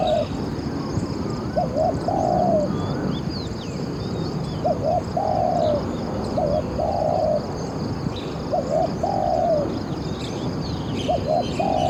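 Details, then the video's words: Spotted dove serving as a decoy to draw wild doves into a trap: repeated phrases of a brief double coo and a longer level note, five times, over steady rumbling background noise and faint bird chirps. "ออกต่อนกเขามหญ่ เจ้าหลิ่วคารมหนุนขัดเปลี่ยน อ ช้าง เสียงดีมาก"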